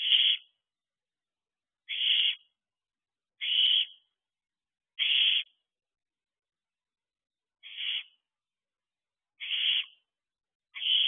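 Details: Owlet in a nest box during a spell of territorial behaviour, week 13, around dispersal time, 4:10 am. Short harsh hissing screeches near the top of the range, seven calls spaced roughly one to two seconds apart, otherwise silent.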